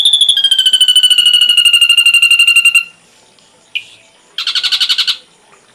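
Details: Ashy drongo on a full tutor recording for songbirds: a long, rapid trill sliding slowly downward, then a single sharp note and a short harsh pulsing burst.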